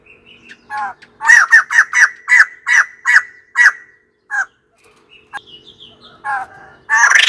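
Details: White-crested laughingthrush calling: a run of about eight loud, harsh, chattering notes in quick succession, followed by scattered softer squeaky notes and a final burst of raucous chatter.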